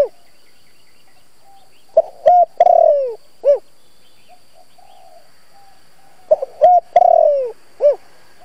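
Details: Spotted dove kept as a lure, singing its full 'giọng thổ' call to rouse newly caught birds. Two complete phrases about four seconds apart, each a quick note, a level coo, a long descending coo and a final rounded hoot.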